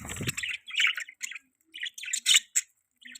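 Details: Short bursts of scratchy, high budgie chirps in uneven groups, with quiet gaps between them and a low rumble at the very start.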